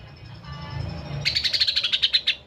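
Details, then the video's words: Wild Bornean greater green leafbird singing at Alas Purwo, Banyuwangi: after a low rumbling background, a quick run of about a dozen high, bright chipping notes. "ISIAN NYA SUPER, CUCAK HIJAU KALIMANTAN.."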